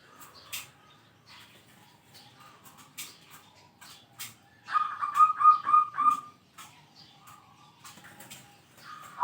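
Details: Zebra dove, a kept singing bird, calling out rivals: a burst of rapid, evenly repeated high coos near 6 seconds, with faint scattered clicks and knocks around it.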